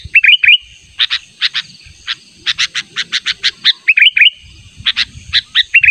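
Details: Sooty-headed bulbul luring call aimed at a rival: bright, rising whistled trills at the start, middle and end, separated by series of coarse, buzzy chips.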